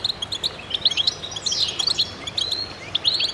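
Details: Short burst of goldfinches singing together: scattered high chirps and tinkling notes, with one sweeping slurred call in the middle.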